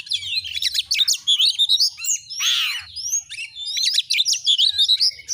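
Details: Oriental magpie-robin (kacer) singing vigorously: dense, rapid runs of high chirps and twisting whistles, interrupted midway by a single harsh, descending rasping note before the fast phrases resume.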